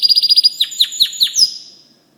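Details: White canary singing: a rapid, even trill of about ten high notes, then four separate slurred notes dropping in pitch, with the phrase fading out at the end.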